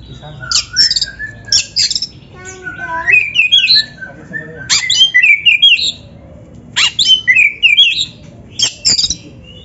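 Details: Indonesian kacer, or Oriental magpie-robin, singing a training masteran for beginner birds. Separate bursts of sharp, scratchy notes alternate with descending and then rising whistled phrases, with short silent gaps between the bursts.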